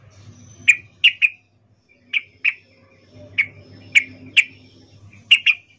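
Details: Female sooty-headed bulbul calling a male with its in-heat 'ngecuplik' call, here given as separate sharp chip notes, singly or in pairs, spaced irregularly, over a low steady hum.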